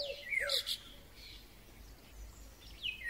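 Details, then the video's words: Eurasian golden oriole song recorded in May 2020, though the recordist wonders whether starlings are imitating it: brief fluty, swooping whistled phrases, with higher chirps from other birds in the background. "Wilga .Śpiew. W tle słychać też inne ptaki."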